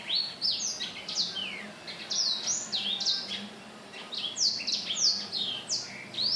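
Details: Black-throated laughingthrush, recorded on 15 December 2016, in lively song: bright slurred whistles rising and falling in quick succession, grouped in bursts with brief lulls, backed by a faint low droning hum.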